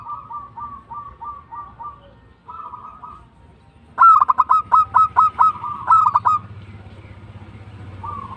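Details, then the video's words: Local zebra dove (perkutut) singing vigorously in the tumbak cucukan style: runs of quick staccato coos, then a loud rapid burst of about eight sharp rolling notes, with softer trilled phrases between and a low background hum. "PERKUTUT LOKAL GACOR TUMBAK CUCUKAN"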